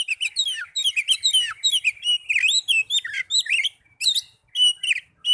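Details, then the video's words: Oriental magpie-robin song for luring caged birds into song: continuous rapid stream of varied whistled and chattering notes, bright and high, with short breaks near the end. "Pancingan burung kacer agar cepat gacor"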